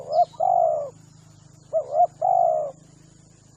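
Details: Spotted dove calling as a lure for hunters: short doubled coo then a long drawn coo, given twice in under four seconds, with a low mechanical hum and a high continuous insect tone behind.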